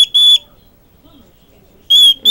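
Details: A pet male cockatiel, jealous when he does not get full attention, screeches loudly at his owner in short, harsh, ringing bursts, demanding attention.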